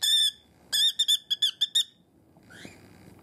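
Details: A pet cockatiel, screaming because it sees its owner's fingers, lets out one long shrill cry followed by a quick series of sharp repeated squawks, then a faint rising note.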